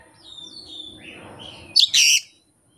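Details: Oriental magpie-robin, a kept songbird, singing its isian with no tutor or rival: soft thin descending whistles, then a loud harsh double burst near the end.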